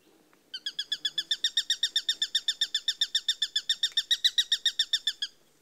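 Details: Eurasian sparrowhawk (Accipiter nisus), call.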